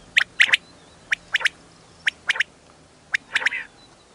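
Common quail female calling: short, sharp, clicky notes in pairs and triplets, repeated roughly once a second, with a quiet background.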